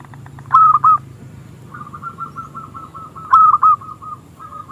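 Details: Local zebra dove (perkutut) with a small, clear voice, singing to lure rivals into song: two loud stuttering coo phrases separated by a soft, fast train of rolling notes over low background hum.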